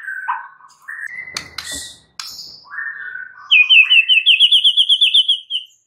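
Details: White-rumped shama in morning song: soft whistled phrases and sharp clicks, ending in a rapid, loud trill of about a dozen bright repeated notes.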